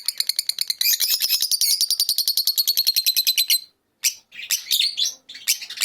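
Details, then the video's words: Fischer's lovebird chatter: a rapid series of harsh, high, buzzy chips repeated several times a second for about three seconds, a short gap, then scratchy, squeaky bursts. "احسن تغريد لعصافير الفيشر"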